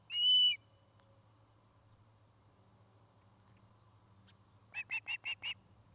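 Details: Osprey at a Charlo, Montana nest, nest camera recording: one loud drawn-out whistled note, a long quiet gap, then a quick run of five short chirps, with a low hum throughout.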